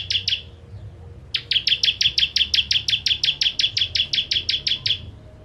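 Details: Bar-winged prinia (ciblek kristal) as a training model for contest birds: two brief chips, a pause, then a long steady trill of about twenty-two bright sharp notes over four seconds.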